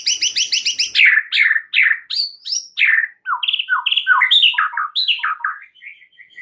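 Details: Solo white-rumped shama starting with a fast series of identical high chips, then loud downslurred whistles and quick varied phrases, ending in softer repeated notes.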